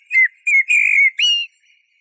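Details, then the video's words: Eurasian blackbird producing a brisk string of four smooth, fluted whistles, the third long and steady, the last slurring upward, in a clear, noise-free recording. "تغريد طائر شحرور (جحمومية)Merle noir"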